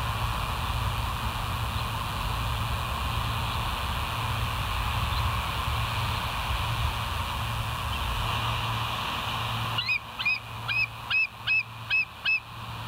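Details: Bald eagle at the West End, 24 July 2023: a long stretch of low rumbling hiss, then about seven rapid, thin, high chips in a tight run near the end.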